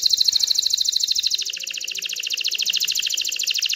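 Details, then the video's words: Excited canary in full song to stimulate hens to breed and build a nest, delivering one unbroken, very rapid high-pitched trill of evenly pulsed notes throughout. "تغريد كناري هائج لتحفيز الاناث على التزاوح وبناء العش"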